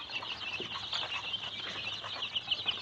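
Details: A brood of Tiger chicken chicks on a farm in Sirajganj, Bangladesh, peeping constantly in a thick, shrill chorus of overlapping cheeps that swells and dips, with a few standout high notes toward the end.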